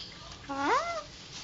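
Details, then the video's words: A three-year-old male pet Alexandrine parrot speaking indoors: one loud, harmonic, voice-like syllable that rises then bends and falls, lasting about half a second, over a quiet background hiss. "Talking Alexandrine Parrot"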